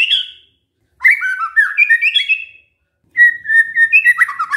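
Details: White-rumped shama singing as a lure to draw replies from other shamas: short phrases of bright, sliding whistles and quick warbled notes, separated by brief silent gaps.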